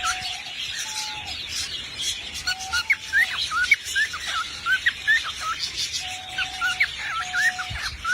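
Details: A singing parrot mixes quick rising whistle flicks with steady low flat whistles, delivered in uneven bursts against a soft hiss.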